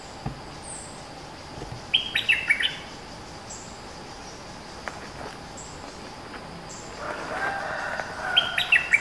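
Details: Bulbul, a fierce dominant local bird singing long songs: two short bursts of clear whistled notes, dropping in steps, separated by several seconds of steady hiss, with faint clicks between.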